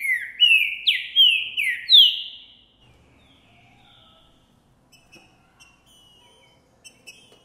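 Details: Green-winged saltator, Boi type, recorded January 2024 singing after seeing a female: a quick string of five rich downward-sliding whistles over two seconds, then near silence with faint distant chirps.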